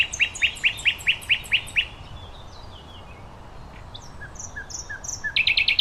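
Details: Common nightingale song outdoors: eight strong, regularly repeated chirping notes, a pause of soft descending whistles, then a fresh burst of quick stuttering notes at the end.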